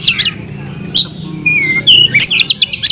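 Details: Caged oriental magpie-robin in full fighting song, loud and varied: sharp high whistles, a long sliding whistle near the middle, then rapid chattering notes, over a low steady hum.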